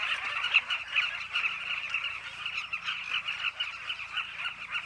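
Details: Chattering colony of southern carmine bee-eaters returning to their burrow nests in a riverbank along the Zambezi, Zambia; many rapid, overlapping chirps form a steady, rolling wall of sound.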